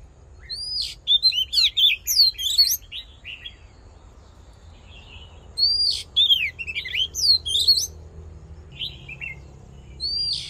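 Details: Oriental magpie-robin fighting song to stimulate males: two outbursts of quick hooked whistles and chattering notes, each lasting about two seconds, with quiet gaps and single whistles between them.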